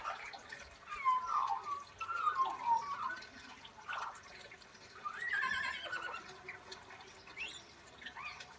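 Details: An Australian magpie that mimics birds, people and horses from a nearby paddock imitates a horse's neigh with shaky, descending whinnying phrases.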